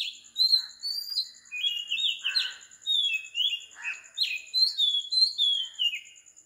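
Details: Early-morning song of an Oriental magpie-robin recorded at 4 am on Sri Lanka: varied whistled phrases mixing rising and falling slurs with a few harsher chirps, delivered continuously over a constant high background tone.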